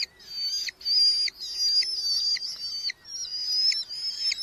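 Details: Nestling red-footed falcons in a colony nest box in Hungary, July 2025, while parents bring beetles; piercing, wavering calls sustained in long phrases, each ending in a short downward flick, separated by brief silences.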